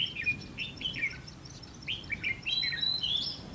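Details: Caged red-whiskered bulbul used as a fighting decoy in a trap, 20 May 2016, singing to challenge wild birds; short liquid warbled phrases repeated in quick succession, some bright thin whistles over them.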